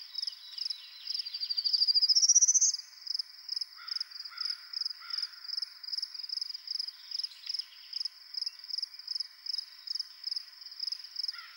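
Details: A male prairie warbler, a rare bird in Ontario, sings on his territory on a Sunday morning: a quick series of buzzy notes climbing steadily in pitch, over a constant rapidly pulsing insect chorus and faint lower calls.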